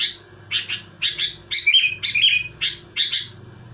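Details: Sooty-headed bulbul singing hard to challenge rival bulbuls: quick chattering, bubbly notes in short clustered bursts, roughly two per second, with a steady low hum behind.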